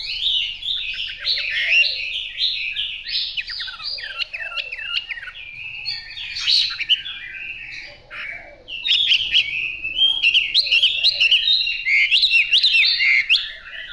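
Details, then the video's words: A fighting Chinese hwamei practising song: a continuous, rambling run of rich whistles, slurred notes and quick trills at high pitch, with little pause and no other sounds. "Họa mi chiến tập làm ca sĩ"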